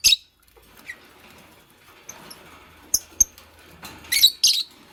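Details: Fischer's lovebird, a green bird kept with a pastel one, making a nest: short, sharp high squeaky chirps come in scattered bursts, with a loose group of them near the end and faint rustling between.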